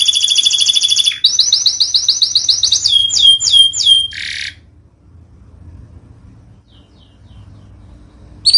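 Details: Masteran recording of a canary, made for birds that have gone quiet. Rapid high trills change pace, then a few sweeping downslurred notes and a harsh buzz follow. Near-silence comes after, with one brief note at the very end.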